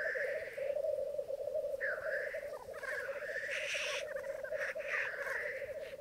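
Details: Morning black grouse lek on a Mykland bog, May 2022, twelve males and two females. A dense bubbling drone continues as several hissing sneezes overlap and follow one another in quick succession.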